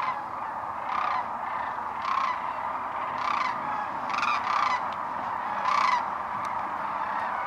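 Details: Cranes landing in the distance near Wood River on a Saturday in March, seen from a blind: loud rolling honk-like calls burst out roughly every second over a steady background chorus of many more cranes.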